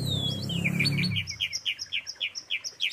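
Asian pied starling song: a quick run of bright, high chirps, about five each second, after an opening falling whistle over a low rumble.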